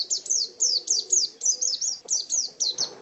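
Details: Caged pleci white-eye kept as a contest bird, chirping rapid high descending notes, about two per second, grouped in short runs, ending with a brief soft rustle.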